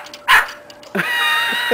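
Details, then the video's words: A pet cockatoo barks like a dog: one short, harsh dog-like bark, followed by a longer, raspy, voice-like sound. "Bird barks like a dog."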